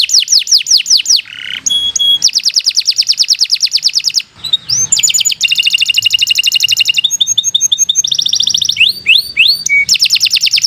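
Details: Canary singing continuously as a model for young or stalled canaries: fast high trills alternating with buzzy rattles, clear whistled notes and rising slurs, the phrases changing every second or so.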